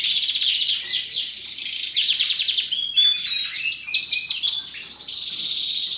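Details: Canary singing continuously in a long, dense flow of high trills and rapid warbled phrases, with steady rolling notes and brief whistled accents throughout.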